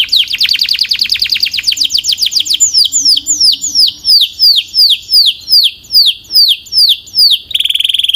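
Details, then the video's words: Canary song starting with a fast dense trill that slows into evenly spaced, downward-slurred whistles about twice a second, finishing with a short high steady trill. "Relax with the Most Popular Canary Singing - Beautiful Melody"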